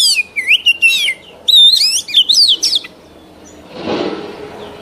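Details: Song of a mature wild Oriental magpie-robin, used for training young birds' voices. Two dense bursts of rich, sliding whistles and chattery trills are separated by a short pause, then comes a soft rustling noise near the end.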